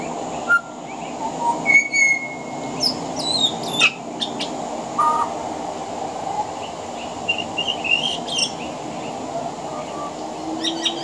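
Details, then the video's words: Pied butcherbird singing from a veranda in Australia, its song mixed with mimicry of other Australian birds: scattered short whistles and chirps, a sustained mid whistle near two seconds, and a rapid high twittering burst, over a steady background hiss. "Mimicry of the pied butcherbird"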